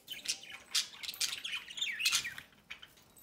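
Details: Pet budgerigars, a pair of parents feeding one of their chicks from the nest entrance; harsh, buzzy squawks and chirps in short bursts about every half second, with rasping downward-sliding notes near the middle.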